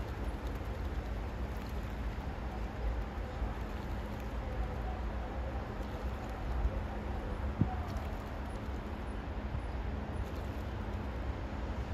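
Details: Steady low rumble like distant traffic or an engine, with no clear animal calls.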